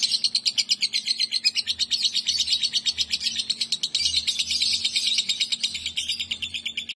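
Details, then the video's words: Female lovebird singing in a song style modelled on kapas tembak and cucak jenggot, kept as a learning filler for birds: a fast, dense stream of high, sharp chirps and trills, about three notes a second, with a low steady hum and soft thumps beneath. "love bird betina Cengkok kapas tembak, cucak...gacor"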